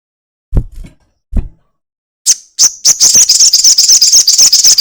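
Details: Two low knocks come first, then a crested jay breaks into its long chatter, a fast, dry, high rattle that speeds up and runs on steadily. The recording serves as a lure to get birds calling.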